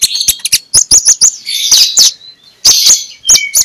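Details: Lure song of a magpie-robin for morning use: high whistled notes and dense chattering bursts, each set off by sharp clicking taps and a short gap.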